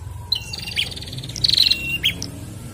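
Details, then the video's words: A male and female bar-winged prinia pair call back and forth. The clip holds a short high whistle, a drawn-out lower tone, then a quick buzzy rattle ending in a sharp chip, over a faint low rumble. "Prenjak Jantan dan Betina Sahut-sahutan Gacor"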